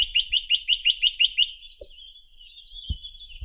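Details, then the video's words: Sitta villosa, the Chinese nuthatch, delivering a quick rhythmic trill of about eight rising, whistled notes in the first one and a half seconds, followed by a steady high chatter and a couple of faint low knocks. "Как поёт Поползень косматый (Sitta villosa)"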